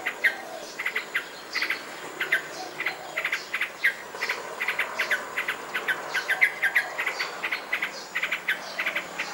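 A Yellow-vented bulbul gives a steady run of short, bubbly chirps in mid-high pitch, several each second, over a faint murmur of other birds.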